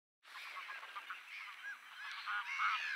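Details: Mediterranean gulls (Ichthyaetus melanocephalus) call in a dense, overlapping chorus of nasal, mewing yelps, many birds at once in a steady clamor; Polders Poelgeest, the Netherlands, 23 March 2024.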